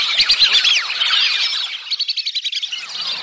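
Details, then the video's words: Whistling ducks' mating-season sounds: a busy chorus of high, overlapping whistled sweeps, then a quick run of sharp, repeated chirping notes at about four per second. "Matting sound, Whistling duck/ Baliwis/Batiki"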